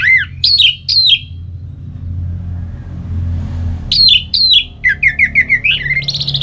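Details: Orange-headed thrush ngeplong song played to rouse another bird: loud downward-swooping whistles, a gap filled by low engine-like noise, then more swoops, a quick series of rising chirps and a buzzy trill.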